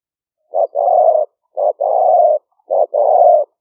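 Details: Lure spotted dove from a Roi Et, Thailand, trapping camp, recorded live by smartphone in the 2021 rainy season: three evenly spaced pairs of a short clipped note followed by a long buzzy, steady coo.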